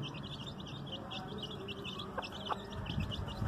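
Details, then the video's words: Baby chicks with a hen: quieter, scattered high peeps over a strong low hum. Two brief sharp clicks come in the second half. "cute baby chicks with hen"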